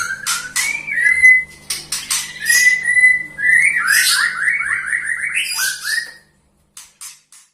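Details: Melodious white-rumped shama song: clicks and clear whistles open into a long series of quick, repeated, down-slurred trilled notes, then silence with a few faint ticks at the end.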